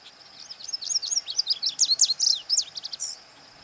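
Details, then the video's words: A male Lazuli Bunting sings his summer song in the northwest: a quick, high, jumbled run of sweet and scratchy notes, some paired, ending in a short buzzy phrase, over a faint hiss. "Lazuli Bunting singing"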